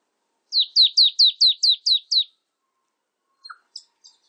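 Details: A marsh tit gives a rapid run of eight sharp, descending chipping notes, evenly spaced, followed by a pause and a few faint, higher scattered chirps near the end.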